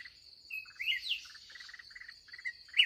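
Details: Red-whiskered bulbul, an aggressive wild bird met late in the day while trapping; a whistled slur and bright phrase followed by many rapid stuttered chip clusters, ending in a loud note, insect whine behind.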